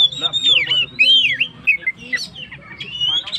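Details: Oriental magpie-robin (kacer) singing 'gacor' to provoke stressed birds; sweet downslurred and looping whistles roughly twice per second, mixed with short chips and scratchy notes.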